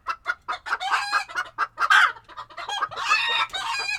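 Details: Chickens chattering in a coop in Tokyo, Japan, on a February day in 2022: rapid, choppy clucks repeated several times a second, with louder squawking bursts near the middle and at the end.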